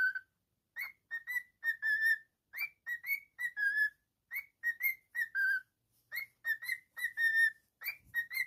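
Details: Pet cockatiel giving a steady whistled song: short and longer clear notes, some slurring upward, repeated in quick phrases of three or four notes with brief gaps. Continuous throughout, no other sounds.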